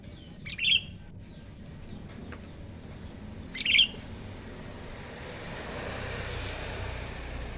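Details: A young wild-caught Sooty-headed bulbul, trained as a decoy for bird trapping, utters two quick chirps three seconds apart, followed by rising broadband background noise.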